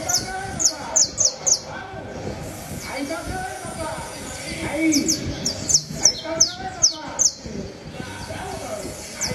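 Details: Canary singing in short bursts of sharp, high, rapidly descending chirps, the bursts separated by brief pauses, with a steady low background murmur like voices throughout.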